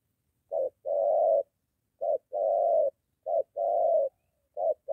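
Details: Spotted dove: a molting decoy under training near home meets a wild male; rough low coos, each a clipped note followed by a longer drawn one, four pairs with even spacing.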